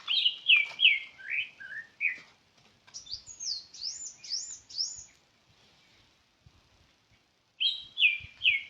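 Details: Bird giving clear, high whistled chirps: a run of downslurred notes, then a quicker burst of higher swept notes, a short quiet gap, and a return of the first downslurred phrase near the end.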